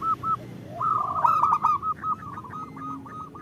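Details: A female zebra dove calling the male, a call that lures males into singing: brief coos, then a loud rattling trill that breaks into a quick series of regular, pulsing notes.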